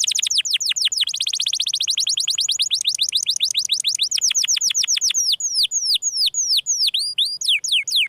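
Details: Canary delivering 'gesekan' song: a rapid run of downslurred high notes packed tightly together, gradually slowing until the last few seconds hold widely spaced, sharp descending whistles.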